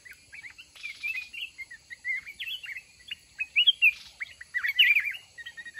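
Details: Caged mountain red-whiskered bulbul used for fight trapping, taken out to test after one month's caging, delivering a steady stream of short chirpy whistles that build into a louder warbled flourish near the end.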